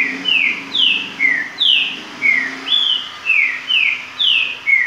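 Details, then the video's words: Virador-style song of a green-winged saltator: a rapid, steady sequence of ten ringing whistled notes, each gliding downward, about two per second, pitches stepping up and down between phrases. "Trinca Ferro Virador"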